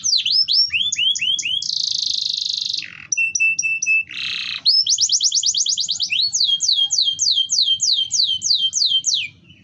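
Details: Canary song played as a lure to set silent canaries and breeding-ready hens singing: varied high phrases of rising whistles, a long buzzy note, clipped chips and fast descending sweeps, with rolling trills at the end.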